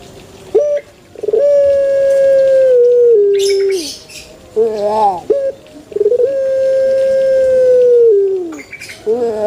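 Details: Pelung chicken in a banana garden: two very long, steady, melodious crows, each held for seconds and sagging in pitch at the end, with short clucks and rustling in between.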